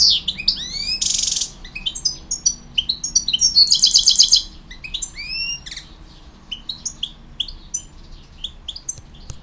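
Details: European goldfinch song opening with twittering and a dense buzzy trill, then thinning into scattered high chirps and upward-sliding whistles, quieter toward the end over low hum.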